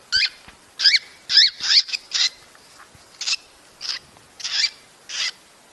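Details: Cockatiel mating sounds meant to prompt breeding: about eight shrill, grating screeches with upswept edges, some in quick pairs and others spaced about half a second apart, over faint hiss.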